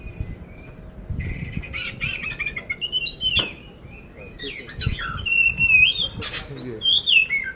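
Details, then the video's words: Caged oriental magpie-robin of the poci type, Magelang, Central Java, sold as ready for competition with coarse-fill song: scratchy chatter and rasps at first, building into loud wavering whistles and buzzy trills near the end. "poci gacor isian kasar"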